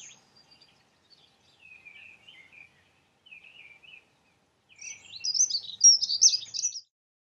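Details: Prunella modularis: soft, brief high notes at first, then a loud, rushed, scratchy warbling phrase of about two seconds before the recording falls silent.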